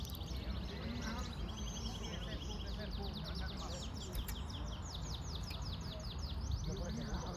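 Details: Yellow-fronted canary song: dense runs of quick, high, repeated chirping notes rolling on without pause, partly masked by strong low-pitched background noise.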